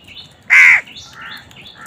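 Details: A crow, among crows fighting over food, gives one loud, harsh, rasping caw of about a quarter second, with fainter, thinner calls from other birds behind it.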